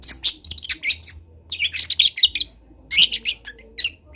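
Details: Long-tailed shrike of local Kendal origin, on a master recording for training birds, chatters in fast scratchy twittering bursts, densely packed high notes broken by short pauses, above a faint low hum.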